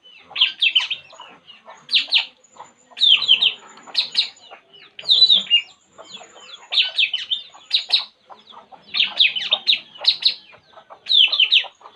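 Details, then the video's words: Puling bird, relaxing, repeats groups of fast, bright downslurred chirps roughly every second, a steady chattering series with faint soft notes underneath. "burung puling"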